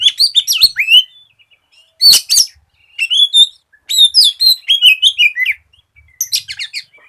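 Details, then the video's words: A lively Oriental magpie-robin used as a singing lure for untrained magpie-robins. Its song runs in quick clusters of chirps, twitters and down-slurred whistles, paused briefly between bursts. "SIULAN KACER GACOR"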